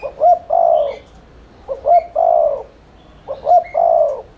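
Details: Spotted dove cooing in the rapid continuous style used as a lure to make other doves coo: three low phrases, each a short double note and then a longer purring coo, spaced about every one and a half seconds; faint higher chirps behind.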